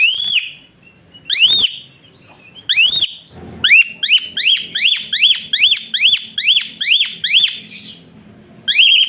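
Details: Asian pied starling producing whistle-like song for tutoring other birds: a few slow, widely spaced arching whistles, then a fast, even burst of about twelve short rising whistles.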